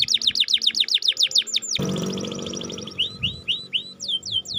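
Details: Canary lure song for birds that have stopped singing: a run of quick down-slurred whistles, a brief burst of broad noise, then separate rising and falling whistled notes.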